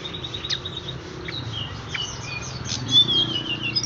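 Horsfield's bush lark sings a run of thin, high chirps and short sweet whistles, quickly varied, over a low steady hum.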